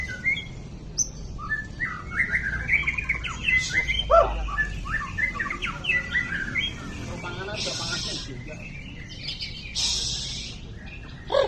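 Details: White-rumped shama, described as a champion across all contest classes, delivering a rapid, varied stream of clear whistled notes that rise and fall, broken by two harsh, buzzy, chattering bursts late on, over a low background rumble.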